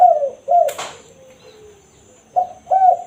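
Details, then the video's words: Spotted dove (tekukur), natural 'kuk satu' voice used as a lure call for wild doves: low hoarse coos in two short pairs separated by a pause, with a sharp click between them. "Burung tekukur /kukur kuk 1(satu) suara asli"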